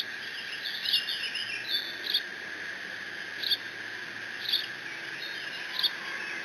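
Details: Bald eagle nestling at Decorah on 30 June 2017, guarding a fish delivered by its father: short, sharp squeaky chips, given singly or in quick pairs roughly every second, over steady background hiss.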